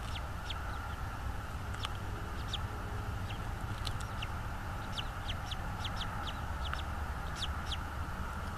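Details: Bald eagle calling from a nest in North East Florida, recorded by a nest cam on 24 January 2022 around 16:40; many high, brief chittering notes in loose rapid strings across the whole stretch, over faint low rumble.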